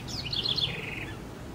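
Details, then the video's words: House wren, a small dark brown bird about 12 cm long of the Americas, chiefly South America, recorded in Brazil: a brief high bubbling phrase of quick tumbling notes that slide down into a short even trill, over faint low background rumble. "O canto da pequena Curruíra"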